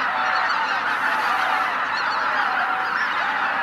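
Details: Wintering waterfowl massed by the tens of thousands on Izu-Numa, northern Miyagi, Japan, Christmas morning; continuous layered honking from a huge flock, individual calls merging into a constant roar.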